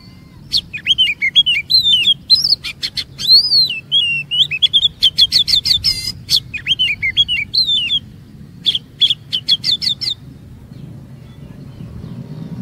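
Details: Oriental magpie-robin lure song: a long, dense sequence of varied looping whistles mixed with sharp high clicks, nearly continuous for ten seconds, then scattered clicks fading out over a low steady hum.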